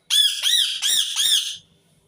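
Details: Loud series of four harsh, grating screams from an Indian ringneck parakeet, each note rising then falling, delivered back to back over about one and a half seconds before falling silent.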